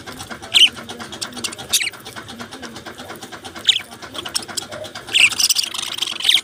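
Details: Australian budgies chirping, a flock's steady high chatter of ticking, warbling notes punctuated by a few sharp, louder squeaks and a busier burst of calls toward the end.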